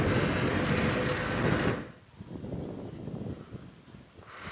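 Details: Vehicle engine noise drops to a quieter murmur, ending in a short sharp click, with no animal calls.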